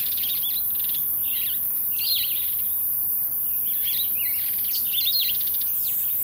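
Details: Jameson's firefinch, a rare visitor to a suburban garden feeder in Pretoria, South Africa: a run of high, thin, twittering chirps and short slurred notes, with a constant high electronic hiss behind them.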